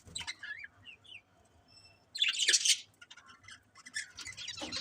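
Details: Budgies chirping: a few clear rising whistled notes, then a dense burst of harsh chatter mid-way, followed by scattered scratchy twitters.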